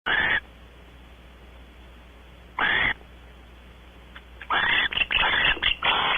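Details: Barn owls mating on a porch at Audubon Starr Ranch, California: three harsh, hissing screech bursts. One comes at the start, another about two seconds later, then a denser run of raspy bursts near the end.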